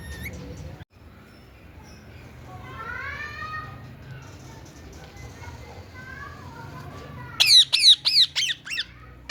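A rose-ringed parakeet bursts into harsh, shrill screeches, about six quick squawks in two seconds, after a stretch of faint background chatter.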